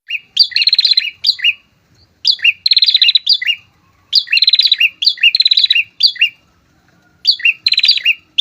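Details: Pair of prinias singing loudly, used to lure and provoke rival prinias: bursts of rapid buzzy trilled notes around 3–5k mixed with short downslurred chips, coming in quick groups almost continuously with brief pauses.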